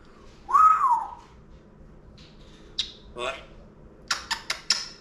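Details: A pet Congo African grey parrot, mimicking a cough rather than sick, gives a squawky rising-falling note, then husky cough-like bursts and a quick run of four sharp, dry coughs.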